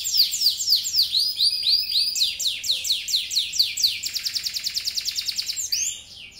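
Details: Singing yellow canary: repeated falling whistled sweeps, then a very rapid dry trill of clipped notes, ending on a final rising whistle as the song fades.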